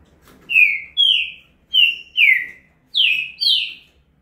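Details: A green-winged saltator sings a fast song of loud, rich whistled notes, each sliding downward, in three quick pairs with short pauses between, over faint background noise.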